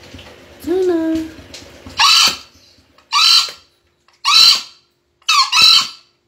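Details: Green junglefowl crowing: four short, harsh, broadband two-part bursts roughly one per second, preceded by a separate lower, smooth, rising tonal call.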